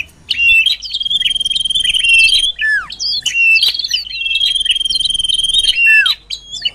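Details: Common iora lure call meant to bring birds closer: two long, even, pulsing high trills of about two seconds each, broken by short downward-slurred whistles and sharp clicks.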